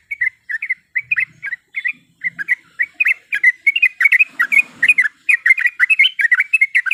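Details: Yellow-vented bulbul female calling the male, meant to provoke rivals: spaced bubbly chirps that quicken into a continuous rapid chatter of slurred whistled notes, with a brief low rumble midway.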